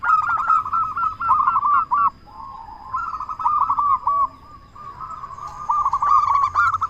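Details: Local Indonesian zebra dove, a frequent, strong-voiced singer used to prompt other doves to sing: quick pulsed coo notes in phrases, a short lower drawn-out coo, then renewed rhythmic cooing sequences.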